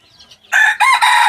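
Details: Red junglefowl hybrid rooster giving a close, loud crow. Soft faint notes lead into a strong rasping opening syllable, then a brief dip and a sustained harmonic tail of about half a second.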